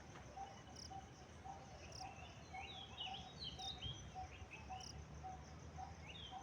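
A common myna gives varied high chirps, whistles and sliding notes. A steady ticking note repeats about twice a second over a low rumble of background noise.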